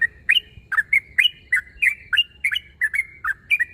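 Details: Rival-challenging call of a yellow-vented bulbul (trucuk): a quick, even sequence of liquid, two-note chirps, several with a short whistled tail, around three per second.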